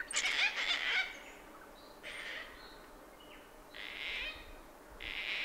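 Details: Brown Thornbill(s) on the Brandy Creek Mine Track, Mt Hotham, Victoria, Australia, at 7am on 29 December 2011, singing high, rich warbling phrases: a loud tumbling opening, then scattered thin notes and two more bright bursts.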